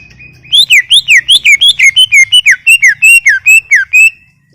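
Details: Greater green leafbird in full song: a rapid run of about sixteen loud, slurred whistles, each rising then falling, delivered at a steady quick pace.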